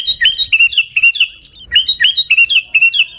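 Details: Garuda-style song of a sooty-headed bulbul from Pidie, Aceh: two bursts of fast, bouncy whistled notes, each a string of about six rising-falling chirps, separated by a short pause.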